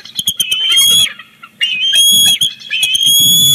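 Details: Bald eagles at a Big Bear Lake nest on 18 July 2019, during a fish delivery from the father to the chick: quick clicking notes leading into long high whistled squeals, with rustling in between.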